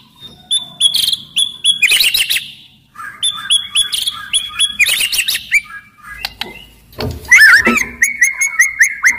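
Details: Loud, agile white-rumped shama in full song as a lure for other shamas: high whistles and scratchy flourishes at the start, then varied slurred phrases, a harsh buzzy note, and a run of repeated rising chips.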